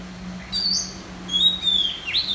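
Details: Red-whiskered bulbul singing in a contest in central Vietnam: a few clear, slurred whistled phrases, high and bright, some gliding up and down, over a steady low electrical hum.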